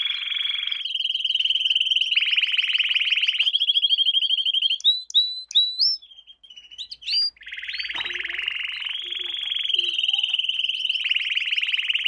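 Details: Training song for young canaries: long rapid rolling trills at steady pitch, broken midway by a few sharp upslurred whistles and a short gap, then the fast trill resumes and runs to the end.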